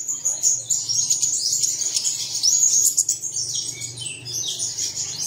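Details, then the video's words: Lure song for caged birds in the early morning: continuous high twittering and whistled chirps, with a few lower slurred notes later and a soft low hum beneath. "Bật Tiếng Chim Này Lên Vào Sáng Sớm Chim Của Bạn Sẽ Hót Ngay"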